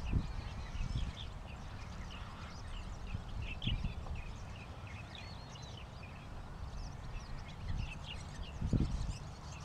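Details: Oriental pratincoles call in a loose chorus of brief, high, chirped notes, thick in the first and last few seconds. A constant low rumble and occasional dull knocks sit beneath them.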